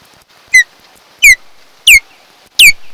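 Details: Osprey (Pandion haliaetus), one of a mated pair at their nest on Kent Island, Maryland, filmed by a nest camera on 8 July 2018: four loud, sharp, downslurred whistled notes spaced about two-thirds of a second apart, with faint background hiss.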